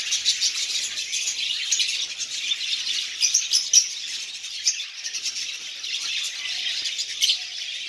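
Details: Lovebirds in a colony eating seeds: a dense, unbroken chorus of high, shrill chirps and twitters from many birds at once, with sharper squeaks poking out now and then.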